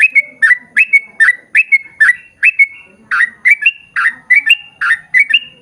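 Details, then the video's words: Yellow-vented bulbul singing long rapid runs, a lure to set others of its kind singing: lively chattering phrases of liquid slurred notes tumbling one after another without a break. "KICAU SUARA trucukan gacor ROPEL PANJANG pancingan trucukan agar bunyi MENJADIKAN trucuk gacor NYAUT"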